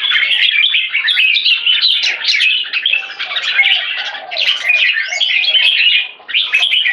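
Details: Red-whiskered bulbul from a jambul farm in 'one stroke' song moving into 'keke', a lively unbroken chatter of sharp chirps and warbling trills, with one upward-sweeping whistle partway through.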